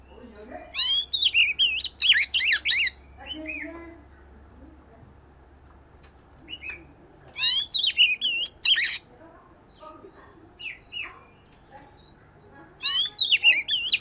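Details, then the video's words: Oriental magpie-robin, scaly-patterned form, singing for daily voice training: bursts of rich, high, rapidly varied whistled and warbled phrases about two seconds long, separated by quieter pauses with softer notes and a low steady hum. "Chòe Than Vẩy Cá Hót Giọng Siêu Hay-Luyện Giọng Chòe Than Hót Hay Mỗi Ngày-Suara Burung Kacer Gacor"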